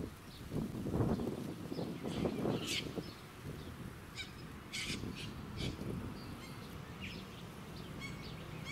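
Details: Little corella flock in a suburban park on the Sunshine Coast, Queensland, in October 2017: a few loud, harsh, raspy screeches in short bursts, with faint chirps of other birds and a steady low rumble of wind and traffic.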